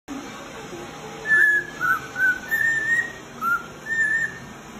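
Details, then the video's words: Male cockatiel whistling song, used for training other cockatiels: a series of short clear whistles near one pitch, some with quick up-down turns, repeated about every half second over steady low background hiss. "CANTO DE CALOPSITA para Treinar Calopsitas Assobio de Calopsitas Macho"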